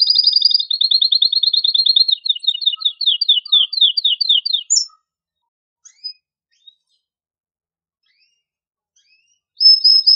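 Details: Male canary singing to stimulate mating: a long series of rapid repeated high chips that gradually spread apart, then near silence, with a final short high trill.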